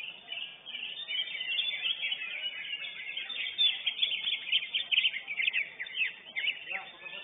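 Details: Lesser green leafbird, competition winner, sings a steady stream of crisp, high chirps and rapid warbled phrases. Other birds at the contest arena twitter behind it.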